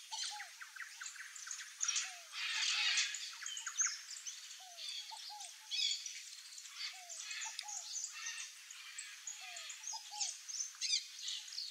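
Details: Scaled dove (Columbina squammata), wild, in Brazil, giving low, soft cooing notes in short groups of two or three, repeated throughout, under a busy chorus of high chirping and twittering birds.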